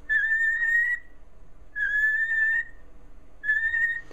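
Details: Peaches, a female cockatiel trained to answer questions with three peeps for yes and two for no, gives three clear, steady whistled peeps, each just under a second long, about every 1.7 seconds with a slight upward lilt, in a quiet indoor room.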